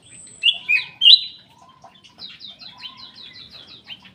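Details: Black-capped bulbul in an aviary delivers three loud liquid whistles in a second. A rapid, evenly repeated series of high chips follows, with soft background chirping.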